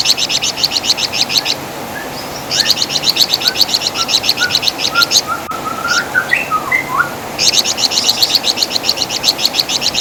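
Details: Wergan Jawa, or flamboyan bird, used as master audio for tutoring songbirds; long runs of shrill, rapid chattering notes separated by gaps, while another bird gives soft, low whistled slurs between the bursts.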